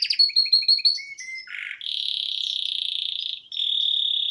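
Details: Male canary singing at home in front of the television: quick clipped notes, a low buzzy note, then a long, even, rapidly pulsing trill held about two seconds and repeated after a short break.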